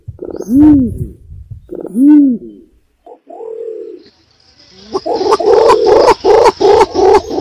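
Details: Lure recording of an imperial pigeon: two loud, deep, arched coos, a short low murmur, then a quick run of repeated pulsing notes over a steady hiss.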